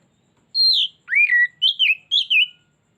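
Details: Kacer, or Oriental magpie-robin, singing a lure phrase meant to make another bird unload its repertoire: a bright falling whistle, a swooping lower note, then four quick varied whistled notes, with nothing else audible.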